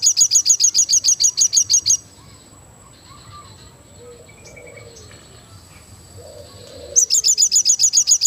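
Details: Crested jay in full energetic song: a two-second run of quick, evenly spaced, piercing high notes, then five seconds of quiet low murmur before another fast burst of the same bright repeated notes.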